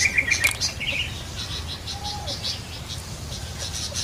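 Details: Brief rattling series of four crisp notes from a yellow-vented bulbul in the wild, followed by a short slurred phrase, with continuous high chirps and insects behind.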